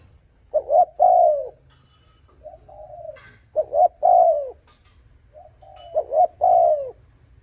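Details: Spotted dove calling to lure rival males, giving three full phrases. Each phrase is a quiet soft lead-in, then two short notes and a long, mellow, downward-sliding coo.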